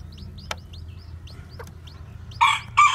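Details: Newly hatched white black-tailed bantam chicks walking about, giving thin high peeps that drop in pitch, repeated rapidly, with two louder harsh bursts near the end and a low hum beneath.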